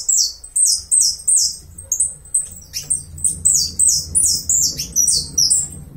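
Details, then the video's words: Saffron finch from Uruguay delivering a fast, rich song of high, sweeping buzzy syllables, each dropping in pitch, repeated roughly two to three times a second with a few short rising chips mixed in, over a soft low hum. "Jilguero dorado Uruguayo"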